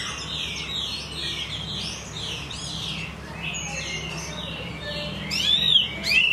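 Hwamei song: rich, fast-changing whistled phrases of rising and falling slurs, overlapping as if several birds sing at once, over a low background hum.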